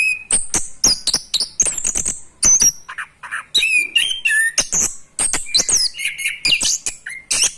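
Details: Orange-headed thrush in training, learning ngerol, the rolling song: fast, crowded high notes, clipped chirps, falling whistles and buzzy squeaks, pouring out almost without break across the whole stretch.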